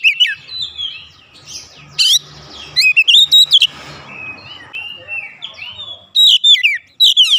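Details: Oriental magpie-robin, emotional and provoked, unloading its fill-in song: scattered high whistles and twittering, then clusters of sharp, swooping notes.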